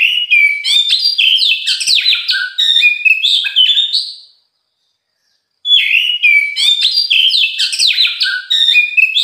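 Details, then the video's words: Oriental magpie-robin (kacer) singing, recorded at some time across morning, afternoon and night: dense, rapid, varied whistled song of sliding notes and chirps. It pauses for about a second and a half, then resumes just as busily. "Suara burung Kacer pagi siang malam bikin emosi yang punya"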